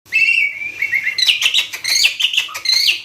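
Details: Asian pied starling, tame and in full song: a run of harsh, loud notes, a long drawn whistle at first, then rapid choppy chattering with metallic, squeaky phrases.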